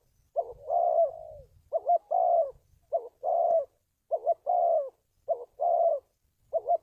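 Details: Spotted dove, used as a lure call for trapping; soft low cooing in repeated paired phrases, a short coo then a longer one, about every second, over quiet background.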